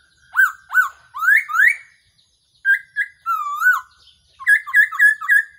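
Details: Black-throated laughingthrush calling as a trapping decoy: sharp upswept whistles in a row, a wavering drawn-out note, then a quick burst of short, bright whistled notes.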